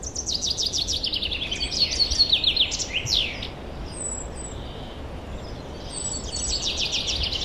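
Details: Forest birds singing in spring 2023: fast, high trilled and chirping phrases pour out for about three seconds, briefly pause, then a thin high whistle and more rapid chatter return, over a steady low rumble of background noise.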